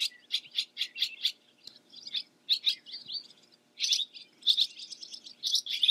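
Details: Song of a barn swallow (Hirundo rustica): bouncy, high twittering notes in quick clusters, separated by short gaps, ending in a denser burst of chatter.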